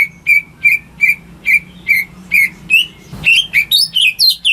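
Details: Greater green leafbird kept at home, singing to prompt stalled birds into song. It opens with a steady series of short, even whistled notes about three per second, then breaks into higher, more varied chirping phrases after a brief click.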